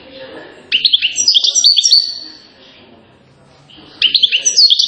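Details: European goldfinch, a celebrated songster from Settat, Morocco, giving a rapid tinkling phrase of high twitters after a soft start, a pause, then another bright burst of chattering notes.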